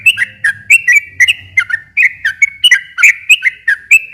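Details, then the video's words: Sooty-headed bulbul in long, lively song used as a lure to make silent bulbuls answer and sing again; loud, rapid chattering whistled notes, bright chirps repeated several times per second without pause, faint low hum beneath. "kicau suara trucukan gacor ropel panjang ini ampuh buat pancingan trucuk macet agar nyaut bunyi lagi"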